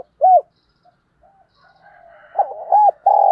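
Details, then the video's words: Spotted dove cooing to stimulate decoy birds and train lure birds. A lone rounded coo is followed by a pause and soft notes. A phrase then builds into two arched coos and a sustained, level coo. "tiếng cu gáy giọng hay dùng kích bổi và tập mồi"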